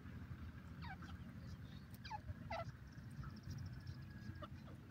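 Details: A wild pheasant, tagged as a francolin, gives a few short, harsh, downward-sliding notes spaced about a second apart over a steady low rumble of wind or distant traffic.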